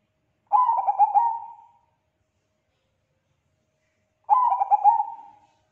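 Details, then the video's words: Bangkok-type zebra dove (perkutut) singing vigorously, a voice said to set other doves answering: two phrases, each a quick stutter of low hollow coos running into a drawn-out purring coo, about four seconds apart, with silence between. "Perkutut bangkok gacor suaranya bikin perkutut lain pada nyaut"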